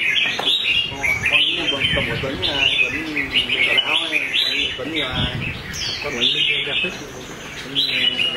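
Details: Red-whiskered bulbul fighting song from a competition bird: lively high warbled phrases with quick upward slurs, repeated in bursts, accompanied by clear background music throughout.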